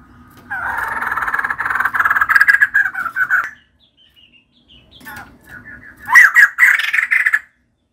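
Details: Female white-crested laughingthrush in full song: a three-second stream of fast, harsh, stuttering notes, a quiet pause with soft calls, then another loud chattering burst.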